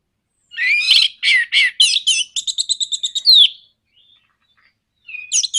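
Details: 'Nraktak konslet' song of an Orange-headed thrush, played to provoke other birds: loud slurred warbled notes, then a fast, even, rattling trill of about a dozen clipped notes, silence, and a renewed warble.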